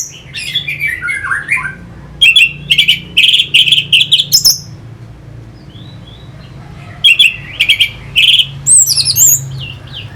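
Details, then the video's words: Orange-headed thrush singing to stimulate fighter birds: a descending slurred phrase, then after a pause a fast series of bright, ringing chirps, a quiet gap, and more sharp chirps with a rising whistle near the end; low hum throughout. "Pancingan SUara ANIS MERAH Pembangkit Figther Burung"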